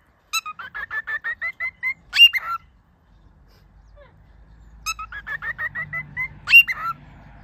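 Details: Captive cockatiel singing while teaching a companion bird to sing and talk: a quick string of short chirping notes climbing slightly, ending in a harsher squawked note, then a pause and the same phrase repeated, with a faint low hum between.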